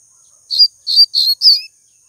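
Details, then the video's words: Yellow-bellied seedeater recorded during a 'puxada' session: four short, bright chirped notes in quick succession over about one second, high-pitched and slightly rising, with a fainter lower note at the end, on a quiet background. "puxada 3 com papa-capim"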